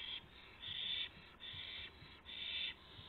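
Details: Owl at a nest, live camera, early morning of April 2, 2016, gopher being brought in; loud, harsh hissing screeches of about half a second each, repeated rapidly with brief gaps.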